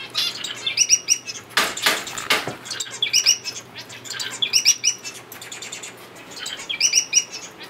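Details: Several finches interacting with each other inside an aviary cage: short high chirps in quick clusters recur every second or two, mixed with loud wing flapping and rustling and some clinking from the cage.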